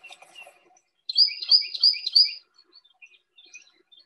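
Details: An Eastern Towhee sings a Carolina Wren song, likely learned by accident: four loud, rolling, whistled phrases in quick succession, with faint chirps before and after.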